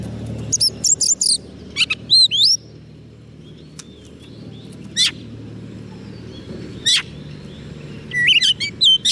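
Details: White-rumped shama on soft food singing to attract wild birds: scattered short sharp whistles and slurred notes separated by pauses, over a low rumbling background.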